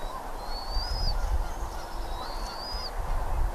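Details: Eagle at Redding, 17 April 2021 at 08:15 in the morning, giving two long, thin, high whistles that glide upward and end abruptly, over low rumbling background noise.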